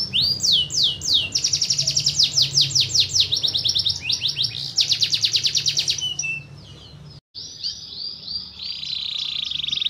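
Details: Canary singing fiercely: rapid high trills and fast repeated downslurred notes, then a long rolling trill. A short break follows, then thinner notes and a steady buzzy trill. A low hum runs underneath.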